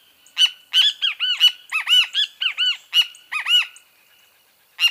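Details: A bem-te-vi (Pitangus sulphuratus) gives a fast, nearly continuous run of loud, harsh notes mixed with arched, rising-and-falling calls for about three and a half seconds. It goes quiet, then one more sharp note follows.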